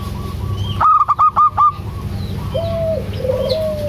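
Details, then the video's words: Local zebra dove singing vigorously, meant to prompt a reluctant dove to call. A quick burst of five loud, clipped notes, followed by quieter, lower, drawn-out cooing slides over a constant hum. "PANCINGAN AMPUH 💯 % UNTUK PERKUTUT MALAS BUNYI‼️ PERKUTUT LOKAL GACOR DOOR"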